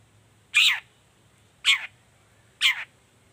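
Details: Morning lure call of a Long-tailed shrike meant to prompt silent shrikes to reply: three rasping notes that slide downward, some with a brief second burst, repeated about once a second over a low, steady hum.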